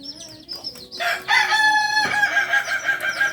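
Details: Kokok Balenggek rooster kept on a farm in Solok, Indonesia, known locally as a singing chicken. After soft chirps of small birds, a powerful, buzzy crow starts about one second in and carries on in repeated, wavering pulses.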